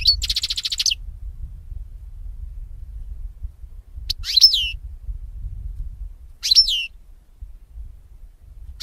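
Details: Goldfinch training recording of European goldfinch: a buzzy trilled phrase opens, followed by short twittering, falling call phrases about every two and a half seconds against low hum.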